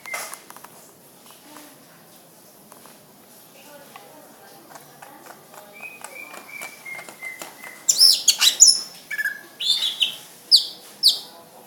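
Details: Greater green leafbird song that starts with a series of soft whistles on one pitch, stepping slightly downward, then breaks into loud high sweeping and chattering bursts in the final seconds.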